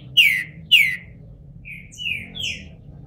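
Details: Bald green-winged saltator, caged in Brazil and coming out of moult, gives two strong, bright descending whistles, then three softer, thinner slurred notes that trail off quietly.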